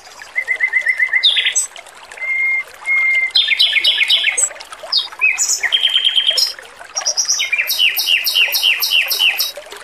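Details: Singing male Pekin robin beside trickling water: a short buzzy run, two drawn-out flat whistles, then bursts of rapid chattering and a fast, evenly pulsed high trill.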